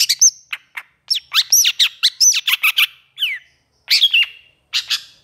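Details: Long-tailed shrike (cendet) in lively, emotional song. Sharp up-and-down whistled slurs and harsh, rasping notes come in a rapid string, broken by short silences, with no other sounds.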